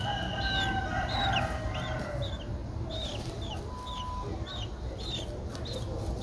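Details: A 12-day-old Streak-eared Bulbul nestling in Ubon Ratchathani, Thailand, on 14 April 2023, gives short, high, down-slurred chips, about two a second, over low rumble with a distant rooster crowing near the start.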